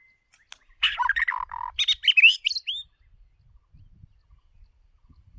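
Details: White-rumped shama decoy bird singing one energetic phrase of mixed scratchy chatter and clear whistles, lasting about two seconds and ending in a rising whistled note, then quiet.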